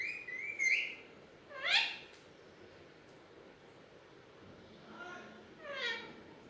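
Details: Talking Alexandrine parakeet indoors, giving a short whistled note followed by a raspy rising phrase, then a pause and another rough upward-sweeping utterance.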